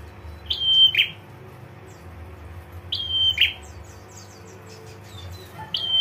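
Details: Prinia female calling to draw a male's response: a high steady whistle that breaks into a brief buzz, heard twice about 2.5 seconds apart and starting again at the end, over a quiet hum.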